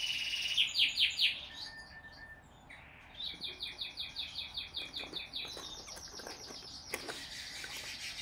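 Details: Zebra finch x owl finch hybrid chick, nineteen days old, begging while hand fed: rapid high chittering bursts, repeated about twice a second, with quieter rasping between and soft handling sounds.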